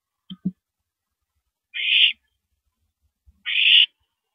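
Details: Owl calling at night during a mouse delivery, 9:17 PM on April 13, 2012: two harsh, hissing screeches, each about half a second long and roughly two seconds apart, with a few soft knocks before them.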